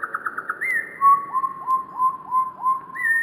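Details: Wren song slowed down, recorded in Cornwall: a quick run of pulsed notes, then a rising whistle and a series of low, hooked whistles about three per second.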